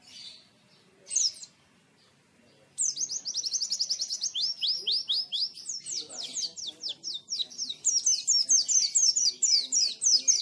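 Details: Oriental white-eye singing in a canary-like style: after two short high chirps, a fast, continuous run of sharp, downslurred high notes races along for several seconds with hardly a pause.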